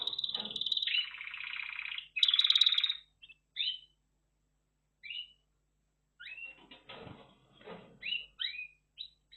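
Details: Buzzy rolling trills from a red factor canary, followed by sparse downslurred whistles and soft chips separated by silences.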